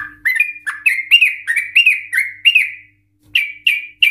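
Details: Sooty-headed Bulbul (Trucukan) in lively, agitated 'ropel' song, used as a lure to make other bulbuls sing: about nine bubbly upslurred notes in quick succession, a brief pause, then three bright chirps.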